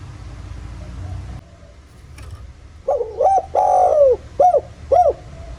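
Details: Spotted dove lure call in 'giọng thổ' style, rural setting, to make other doves call: murmuring background, then a quick double note, a long bowed coo and two short hooked notes repeated about half a second apart.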